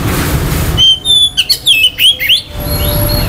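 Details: Oriental magpie-robin singing to provoke other magpie-robins into excitement and breeding urge: a clear whistle, then a quick run of looping, rising and falling whistled notes, after which the low background rumble returns.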